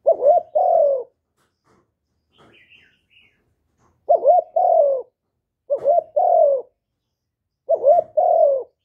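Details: Spotted dove from Vietnam, recorded without background noise for luring newly caught doves into calling; four low cooing phrases, each a quick doubled note and a drawn-out falling coo, with a faint high chirp between.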